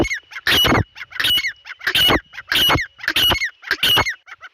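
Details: Dahkni teetar, the grey francolin, gives a loud series of harsh, grating calls about one and a half per second, each burst loud and rasping with a shrill ringing edge, a faint constant hum running underneath.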